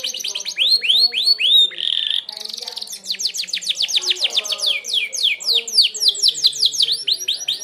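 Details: Merlok canary singing a sharp song used for training other birds: fast series of high, sweeping whistled notes repeated many times a second, a brief buzzy stretch, then more rapid rolling sweeps.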